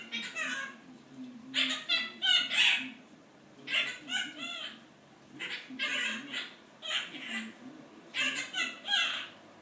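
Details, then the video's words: A male monk parakeet (Quaker parrot) mimics human speech, apparently complaints about a job that he learned by listening and was not taught. Raspy, speech-like phrases come in uneven runs of imitated words with pauses between. "Quaker Parrot.. AKA little recorder!!"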